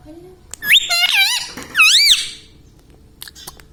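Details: Talking ringneck parrot at home says "Mitthu"- and "Mami"-style words as two wavering, squeaky phrases, the second a loud arching rise and fall. The phrases are followed by quiet, with faint clicks and a few taps.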